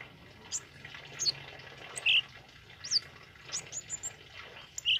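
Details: Tame male kemade in song, giving bright bursts of whistled notes every second or so, mixed with faint thin chirps, over continuous water-like rushing noise.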